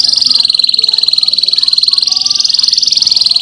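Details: Canary singing as a lure to set other canaries singing, in a rolling style with sharp notes: an unbroken, rapid, finely pulsed high trill that wavers slightly up and down, with faint lower twittering underneath.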